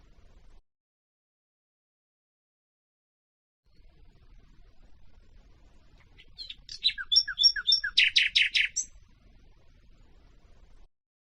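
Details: After quiet background hiss, a nightingale phrase picked for tutoring canaries and hybrids: quick high chips and whistles building into a dense run of loud, rapid buzzy pulses, then fading back to faint hiss.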